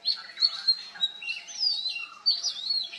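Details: Oriental magpie-robin song with mimicry: short sharp whistles, then a long rising and falling slurred phrase, and more bright whistled notes.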